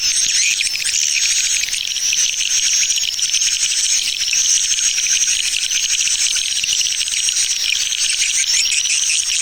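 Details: Swiftlet lure call in the 'Tarik Permata' style, from late 2019, meant to draw swiftlets: a dense, unbroken wall of high twittering chirps with thin whistled streaks on top, steady in loudness throughout.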